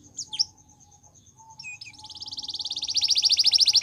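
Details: Gloster canary training song: scattered soft chirps and a faint thin tone, then a rapid pulsed trill that builds steadily louder toward the end.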